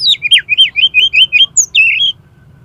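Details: Oriental magpie-robin, sung as a trigger for competition birds to start singing: a fast, lively chattering phrase of about ten slurred whistled notes dropping and rising, ending in a short buzzy flourish.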